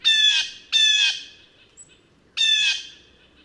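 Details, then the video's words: Blue jay (Cyanocitta cristata) gives three harsh, nasal "jeer" screams, each about half a second long and slightly falling. A faint high whistle sounds between the second and third. "Canto do Gaio Azul"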